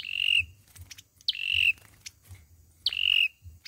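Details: Fighting song of an olive-backed sunbird used as a trapping lure: three sharp downward-flicked notes that each settle into a drawn-out thin whistle, spaced over a second apart, over a low background hum.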